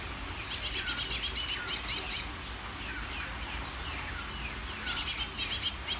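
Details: Greater green leafbird singing: bursts of rapid, sharp, high chirped notes repeated about ten times over nearly two seconds, a pause with soft lower sliding whistles, then another fast high burst.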